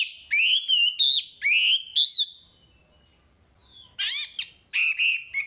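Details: Chinese hwamei song for training caged birds: loud, long whistled slurs, each rising then falling, in a steady sequence, a silent pause, then further rich undulating phrases.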